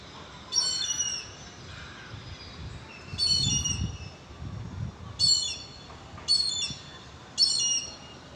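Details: Hornbill calling sweetly: five short, high squealing notes with bright harmonic overtones, each lasting under half a second and spaced irregularly, over a faint low rumble.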